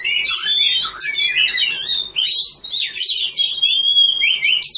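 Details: Oriental magpie-robin kept in a cage, singing at a bird song award on 3 April 2015; rich, rapid medley of high chirps, slurred warbles and drawn-out pure whistles that waver and fall.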